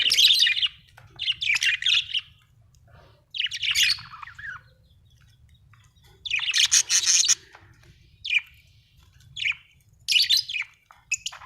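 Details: Cheerful budgerigar chirping: repeated rough, buzzy warble bursts and bright chirps, with gaps of a second or two between phrases, one longer grating chatter in the middle.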